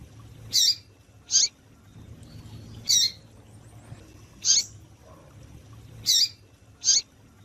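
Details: Female double-collared seedeater calling to excite males: short, sharp, high chirps given in loose pairs, six notes over about seven seconds, with low background hum between them.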